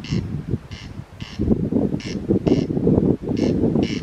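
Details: Unseen corncrake near a hostel on Colonsay, heard but never seen, giving its dry, rasping double crex-crex call about every second over a low rumble of wind or distant noise.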